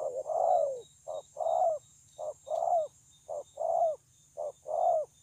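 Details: Wild-caught spotted dove, recorded at Kon Long on 9 June 2020, praised for a very fine voice: low mellow cooing in paired phrases, a short note then a longer falling coo, repeated about once a second, over a steady high hiss.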